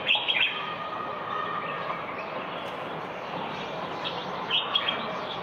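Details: In Marrakech on February 15, 2020, recorded from a balcony, a common bulbul gives two brief bursts of bright, chattering chirps, one at the start and one near the end, over a steady wash of town noise.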